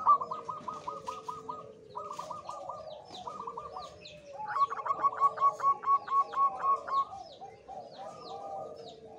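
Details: Local wild male zebra dove in high breeding condition singing rapid staccato cooing phrases, several bursts of quick repeated notes, with other doves answering at slightly different pitches and faint chirps from other birds behind.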